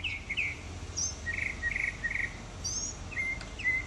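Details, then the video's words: Northern mockingbird singing while preening among Florida native plants, 2005: varied phrases of buzzy rising notes, high thin slurs and short repeated chirps, each phrase differing from the last, over faint background hiss. "Mockingbird Song"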